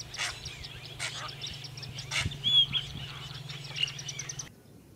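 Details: Asian pied starlings (Gracupica contra) at Bang Khaem Fish Ponds, a freshwater wetland in Nakhon Pathom province near Bangkok, Thailand, in June: harsh rasping bursts and busy chatter, with pip calls mimicking a woodpecker (first thought to be freckle-breasted woodpecker), over low hum.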